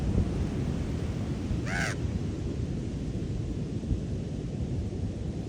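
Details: Wild raven at Ocean Beach, San Francisco, giving one short, hoarse croak over loud, constant surf and wind rumble.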